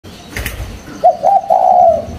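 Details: Caged spotted dove wearing a leg ring, cooing steadily in its cage: a short low note followed by a long smooth drawn-out coo, after a brief faint clatter at the start.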